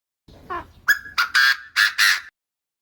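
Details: Francolin call used to lure birds into traps: one soft note, then four loud, harsh, raspy bursts about a third of a second apart, each opening with a clear tone, in a quiet background.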